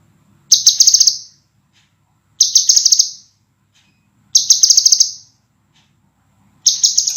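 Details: Cage-bird training master of scarlet minivet song, clear, tight and sharp in delivery: high, ringing phrases of rapid trilled notes, each under a second, repeated about every two seconds against a near-silent backdrop.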